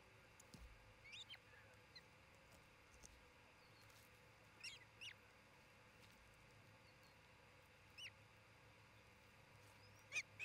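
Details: Osprey at a nest near Charlo, Montana, where a pair builds a new nest near a great horned owl family, recorded by nest camera on June 27, 2018; faint, sharp rising chirps every few seconds over a steady low background hum.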